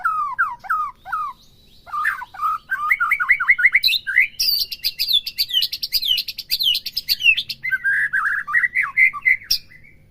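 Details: Song of a white-rumped shama, played to rouse another caged bird into full song: a rich, continuous run of varied whistled phrases, rapid chattering notes and high slurred trills, with a lower warbled run near the close.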